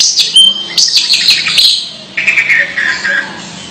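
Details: Long-tailed shrike making strange calls: harsh buzzy notes and squeaky chirps jumbled together, then a descending scratchy chatter in the second half.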